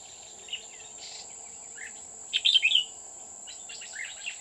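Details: Red-whiskered bulbul decoy singing during bird trapping at Núi An Phú, Chùa Hương, 20 October 2019: short, bright, warbled phrases burst out around the middle, with faint chirps before and after, over a steady high-pitched insect drone.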